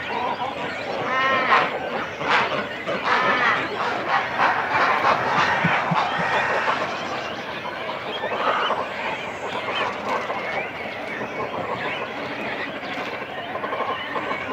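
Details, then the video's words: Nesting cormorants, adults and chicks together in a colony, heard close: a thick wash of guttural, honking calls and quick stuttering bursts. Several louder outbursts stand out early, then the crowded din settles to a steadier background chatter. "Cormorant. CU Calls From Chicks And Adults On Nest. Colony Sounds."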